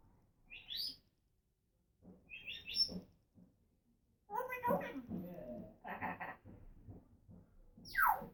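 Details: Female pet African grey parrot talking and making noises: short high chirps, then a run of speech-like harmonic syllables and rougher voiced sounds, ending with a sharp downward squeak.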